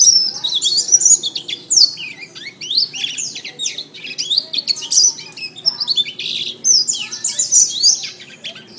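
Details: Canary song used as training audio for other birds: a long run of high twittering notes and rapid rattles in closely packed phrases, bright and nearly continuous, with faint low background hum.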